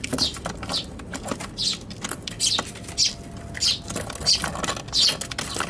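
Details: Eurasian tree sparrows battling in a box on a balcony on Tanabata 2021, captured with an RX100M5A; short high chirps repeated about every half second to second, with rustling and faint background voices.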